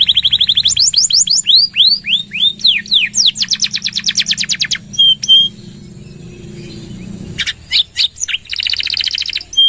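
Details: Canary in full loud song, suited as a lure and as a tutor recording for other birds: fast trills, sweeping downslurred notes, pure steady whistles, then a pause and renewed buzzy rattling trills.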